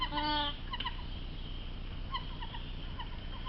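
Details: White-winged wood duck at Sylvan Heights Bird Park, recorded by trailcam, possibly at night, gives one loud, nasal, half-second honk, then soft clucking notes over a low background rumble.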